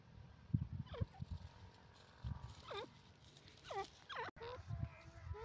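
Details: Grey francolin calling: a series of loud, ringing, rapidly rising-and-falling looped notes repeated about once a second over low rumbling background noise.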